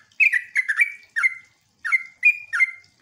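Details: Sooty-headed bulbul song played as a lure to draw answering bulbuls: short clusters of bubbly whistled notes with a drawn-out level whistle, separated by brief gaps.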